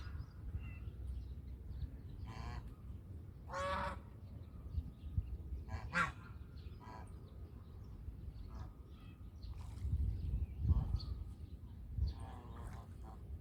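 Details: Domestic goose giving several harsh, nasal honks spread across the stretch, some drawn out and others short, over a steady low rumble of background noise.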